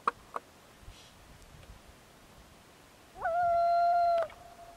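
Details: A Common Loon on Lake Nubanusit, Nelson, New Hampshire, gives one sustained mournful note lasting about a second. It swoops up briefly, then holds a steady pitch. Before it comes near silence with a few faint clicks.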